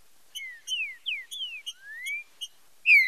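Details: Green-winged saltator in fibra com marcheado song, used to train and stimulate singing: slurred descending whistles mixed with one rising whistle and crisp ticking notes, ending on a loud bright whistle.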